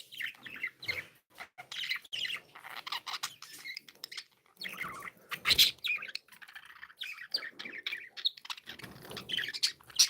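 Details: Happy pet budgerigars keep up busy chatter, buzzy warbles, squeaks and sharp chirps in short bursts, with a few clicking taps in between.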